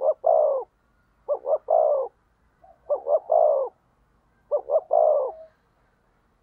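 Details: Spotted dove used as a decoy bird to provoke rivals, giving low cooing phrases: two quick short coos then a longer drawn-out coo, repeated four times about every one and a half seconds in quiet surroundings.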